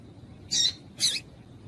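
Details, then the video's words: A female double-collared seedeater gives two harsh, buzzy chips half a second apart, calling to excite a male. "Melhor Piado de Fêmea de Papa capim Para Esquentar Papa capim"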